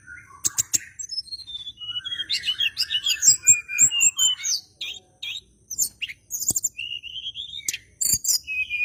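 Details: Bar-winged prinia singing aggressively as if looking for an opponent, meant to lure white-rumped shamas into song; rapid stream of chirps, twittering phrases and sharp clicks with a few drawn whistled notes, near continuous for nine seconds.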